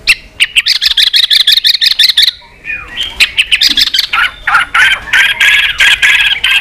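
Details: Fighting song of a white-rumped shama, varied and multi-voiced, with the bird flicking its tail. It opens with a fast, rattling string of repeated notes, pauses briefly, then continues with dense, buzzy, churring phrases.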